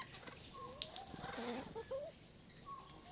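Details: Wild red junglefowl, the ancestor of domestic chickens, at a forest hide in Kaeng Krachan National Park, Thailand, giving soft, low clucking notes mixed with short upward-sliding whistles, with a sharp click and a constant high hiss behind.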